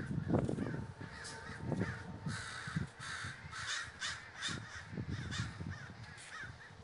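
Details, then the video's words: Big flock of crows gathering at Davis, California, with dense overlapping raspy caws, some short and rising, forming a continuous noisy chorus over low rumbling background sound. "The Great Gathering of Crows III"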